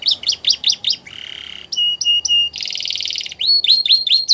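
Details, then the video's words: Belgian canary singing as a canary training example. Quick repeated chirps give way to a low buzzy roll, clipped whistled pairs, a loud dense trill, and finally a run of bright rising whistles. "Canaries Singing | Belgian Canary Song"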